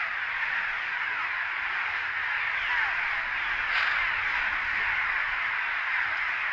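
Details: Cliff swallows at their nests under a bridge at Big Stone NWR, disturbed by a camera lowered over the side: a dense, unbroken chatter of squeaky, grating notes from many birds calling at once.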